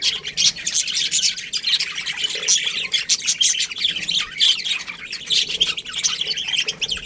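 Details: Colony of budgerigars giving constant overlapping high chirps and scratchy chatter, many birds calling at once without a pause.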